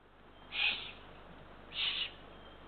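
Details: Eurasian eagle-owl at a nest with three ringed chicks, prey brought after midnight on 23 June 2023. Two harsh, breathy hissing bursts, each about a third of a second, separated by just over a second of quiet.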